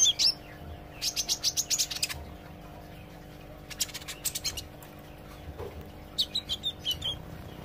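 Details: A kolibri ijo sunbird practising song and chatter: rapid runs of six to eight high buzzy chips, a thin rising whistle at the start, then later clusters of sharp notes, with a constant low electrical hum.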